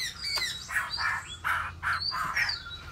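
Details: Caged Chinese hwamei, a bird offered for sale, sings a fast, rhythmic run of harsh, chattering notes, about three per second, mixed with high thin whistles over a faint low hum.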